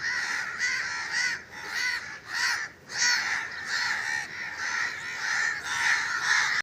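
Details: Loud, hoarse crow caws repeated almost continuously, nearly two calls a second with brief pauses, rough and nasal in tone, dominating the outdoor soundscape.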